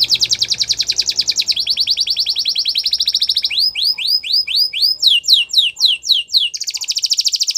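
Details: A Gloster canary sings a training song: high, rapid rolls of repeated chips, then a run of swooping downslurred whistles, then back to a fast trill.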